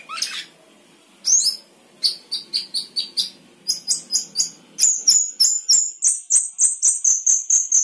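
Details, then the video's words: Sooty-headed bulbul 'gacor isian' song: a sharp rising note, then rapid high chirps repeated about four times a second, building into a steady fast series of bright doubled notes. "Cucak keling gacor isian"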